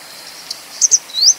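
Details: A grey wagtail (Motacilla cinerea) utters a short tick, then a crisp double high-pitched note and one strong rising whistle near the end, in still surroundings.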